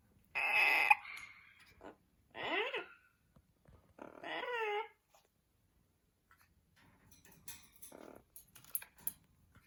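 An Amazon parrot gives three loud, harsh calls, one squawk then two wavering, rising-and-falling vocalisations, followed by quieter chatter and clicks indoors.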